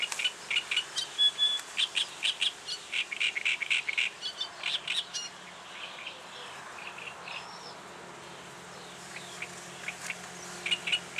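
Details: Reed warbler delivering its advertising song: several seconds of rhythmic, chattering repeated notes, then a quieter stretch with a few scattered chirps and a thin rising whistle, and another burst of chatter at the end.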